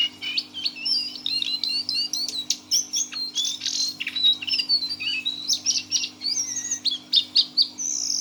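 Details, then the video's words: Lesser Shortwing (cingcoang coklat), six months old and caged, sings a fast teler sequence of zigzagging high whistles, chirps and crisp clicks in an unbroken stream, with a low steady hum behind. "GAYA KICAUAN BURUNG JONGKANAN COKLAT TELER"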